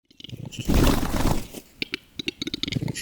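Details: A lekking western capercaillie gives a second of harsh, grinding scraping, then a run of dry, uneven clicks that come faster toward the end.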